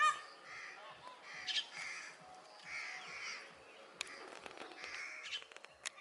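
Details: Indian green parrot giving harsh, raspy calls in short bursts around the first two and a half seconds and again near the end, over a steady background hiss with a few sharp clicks.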